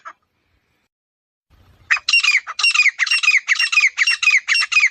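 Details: Grey francolin calling outdoors in a peaceful setting: after about two seconds of quiet, loud harsh squawking phrases start and repeat in a fast, steady series of roughly two per second until the end, with no other sounds.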